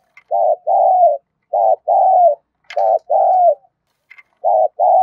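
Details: Spotted dove giving thúc gù and gáy cooing used to train decoy birds: paired low hollow coos, a short note then a longer falling one, repeated three times with brief pauses.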